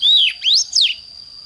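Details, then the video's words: Oriental magpie-robin singing in the morning in an intense, fiery style used for training other birds. Three loud, clear whistled slurs: a falling note, then a rising sweep, then a falling one, over a faint steady high tone. "Chích choè than hót sáng"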